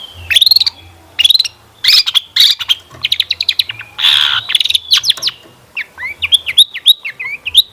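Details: Long-tailed shrike song played to draw other shrikes into singing: bursts of harsh squawky notes, dry rattling trills, then a quick series of thin twisting whistles.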